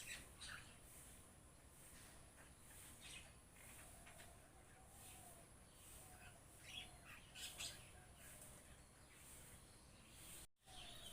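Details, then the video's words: Flock of mynas giving harsh squawks and chattering notes in scattered bursts, some overlapping, with steady background hiss and a brief dropout near the end. "এজাক শালিকা চৰাই Myna Birds"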